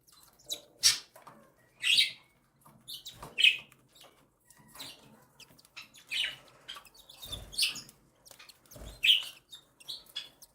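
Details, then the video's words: Mother cockatiel feeding her three chicks, newly hatched and a week old; the chicks give scattered raspy squeaks and hissy high cries about once a second, with faint rustling. "Cockatiel Gently Feeds Her 3 Chicks"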